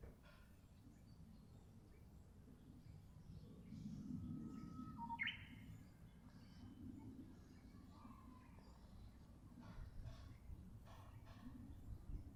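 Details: Japanese bush warbler singing one phrase: a long, steady whistled note, then a quick, rising, warbled flourish. Faint calls of other birds scattered around, over a low background rumble.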